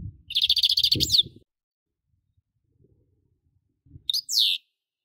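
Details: European goldfinch singing: a bright, rapid twittering trill of high buzzy notes lasting about a second, then a short rising phrase after a pause, with low rumbling background noise under the first phrase.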